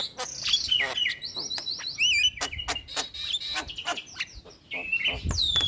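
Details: Starling tutor song, played so lazy young starlings become vocal: dense clicks and sharp ticks mixed with wavering and sliding whistles, and a high rising whistle near the end.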